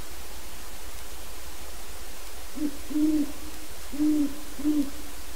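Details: Wild great horned owl that had been hooting in the yard, stopping at the open door of an owl pen: four deep, soft hoots about a second apart, over a steady low rumble.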